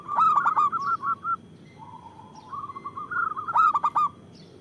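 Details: A gacor local zebra dove, loud-voiced and used as a lure to provoke others. It gives rapid hooked coos running into quick short notes, a softer low trill in the middle, then another strong burst of coos.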